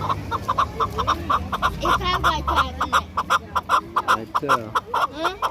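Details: Loud, rhythmic chukar partridge calling: a fast train of sharp chuck notes, roughly three a second, with wavering upslurred syllables mixed in, for a bird kept for hunting and fighting.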